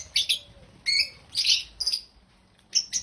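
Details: Loud, happy African lovebird chirps: sharp, squeaky, high notes given singly or in quick pairs, about six bursts in three seconds.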